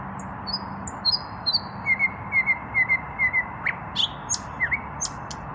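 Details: Evening song from an unpaired male common nightingale puffing out his breast: drawn high whistles, then soft paired notes repeated about every half second, then a few sharp, louder notes, over background hiss.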